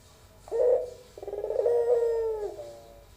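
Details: Young albino barbary dove giving a melodious pelung-style coo: a short throaty note, a brief pause, then a long, steady, drawn-out low coo that slowly fades.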